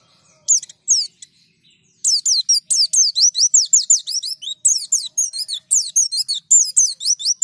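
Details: White-eye being prompted to sing: long, lively stream of high, sharp descending chirps, repeated several times per second with brief gaps, clean and energetic.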